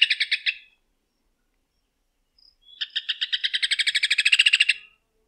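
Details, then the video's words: Rufous hornero giving a loud, ringing chatter: a short burst of about six notes, then a longer run of some twenty rapid notes that speeds up and grows louder. "Canto do João de Barro / Maria Barreira"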